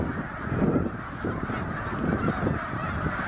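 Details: Massed snow geese by the thousands on the St François river at Drummondville's public beach, Quebec, in November 2012, a steady wall of clamouring honks with no pauses.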